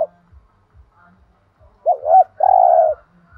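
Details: Spotted dove in thổ đồng voice giving a thúc gù phrase: two quick wavering coos, then one sustained, slightly falling hoot, after a quiet start with soft low ticks.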